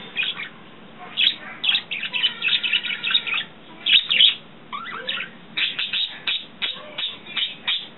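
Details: Pet budgies at home singing, playing and twittering; busy chattering warbles and sharp chirps in quick irregular bursts, some rising squeaks, with brief pauses between phrases.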